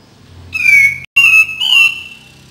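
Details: Cream-vented bulbul song played to stimulate birds that seldom sing: clear, bubbly whistled phrases of two or three notes, the middle one briefly cut off, ending in a gently wavering note.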